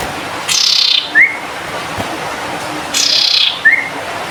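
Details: Cinereous tit in lively song; a single short rising whistled note twice, each right after a loud hissy burst, about two and a half seconds apart.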